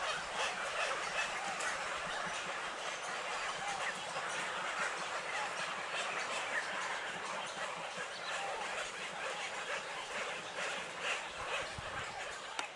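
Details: Many baby birds in a mangrove make a noisy, continuous mass of overlapping harsh, raspy begging calls, dense and unbroken across the whole stretch.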